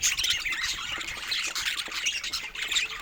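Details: High, twittering budgerigar chatter from pet birds exploring new toys, a steady jumble of squeaky chirps, short whistles and raspy squawks.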